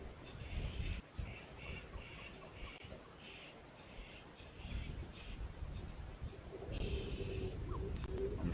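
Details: In windy, rough weather at Juma Private Game Reserve, many red-billed oxpeckers give a string of short, hissing, buzzy calls in quick succession over strong wind rumble near a young male impala, with a man speaking.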